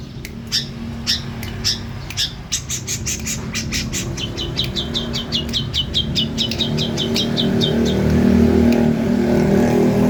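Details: Female long-tailed shrike singing vigorously: rapid series of sharp clicking and chattering notes, around four per second, speeding toward the end, with a low hum and rising background noise.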